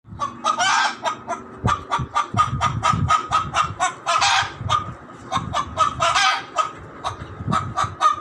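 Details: Chicken making loud noises: a rapid series of harsh, honking squawks, with several longer, noisier squawks among them. The calls come in quick bursts with brief pauses, over low rumbling background noise.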